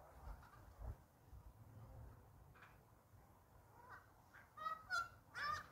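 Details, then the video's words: Noisy friarbirds in a yard, phone recording: a few loud, harsh, honking notes in a quick burst near the end, after several seconds of low rumbling background noise. Noisy friarbird. "Noisy Friar bird call."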